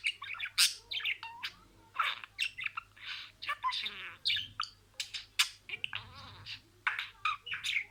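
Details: Talking pet budgerigar repeating words: steady stream of scratchy chirps, clicks and harsh syllables in short bursts roughly every half second, continuing throughout.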